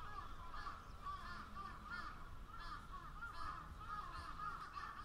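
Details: Several crows call at once, a blur of hoarse, overlapping caws running steadily throughout, with a faint low hum behind them.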